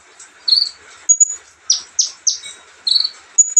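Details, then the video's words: Olive-backed sunbird, relaxed chirping: thin, very high notes, with short downward-sweeping chirps and brief flat whistles. They come in quick uneven bursts over a quiet background. "kicauan santai Kolibri ninja"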